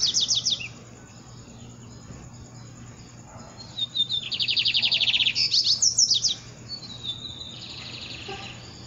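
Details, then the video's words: Lined seedeater singing at dawn, energetic: rapid series of high buzzy repeated notes and sweeping whistles, with pauses between phrases and steady low background hum. "Amanhecendo o dia e o bigodeiro cantando louco"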